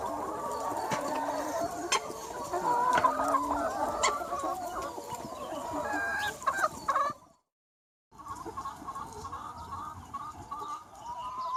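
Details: Around 200 free-range chickens on a sunny spring day, rapid overlapping clucks and cackles forming a busy chorus, broken by a brief silent gap before the flock noise resumes.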